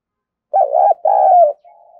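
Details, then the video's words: Spotted dove calling coo used to draw wild doves: a wavering short note, then a longer falling coo, with a faint quiet flat note trailing after. "chim cu gáy thúc và gáy gọi kích bổi hiệu quả/ tiếng cu gáy"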